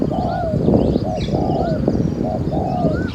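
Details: Spotted dove calling while used as a decoy for trapping wild doves in Thailand. Mellow repeated coos, about three phrases in three seconds, mixed with a man talking and faint higher chirps from other birds.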